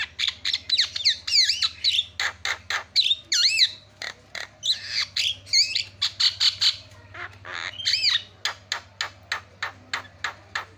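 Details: A myna, recorded as a lure to make Javan mynas call, gives a fast, steady run of harsh squawks and clicks broken by looping, whistled notes, about three per second, with a faint low hum beneath.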